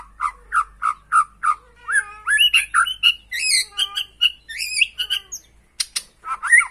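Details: Lure song of a white-rumped shama, played so a caged shama sings hard and unloads its repertoire: evenly spaced mellow whistles leading into a dense, varied flurry of warbles, trills and high twittering notes.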